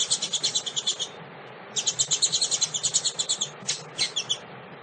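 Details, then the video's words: A female double-collared seedeater calls to stimulate males with fast runs of bright, high, chattering notes, about three per second, broken by a short pause, then louder scattered chirps; soft low hum throughout. "fêmea de coleiro chamado pra esquentar"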